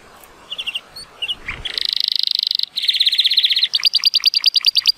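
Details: Timbrado Español canary, a male born in 2018 with an 83-point rating, singing on a sunny day: scattered soft chirps give way to a loud fast roll and then quicker sharp repeated notes.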